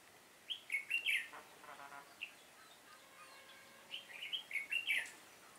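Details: Red-whiskered bulbul decoy in a trapping setup, 7 September 2018, with fighting song: a rapid warbled phrase, soft chatter and a single note, then another lively rolling phrase of bright chirps.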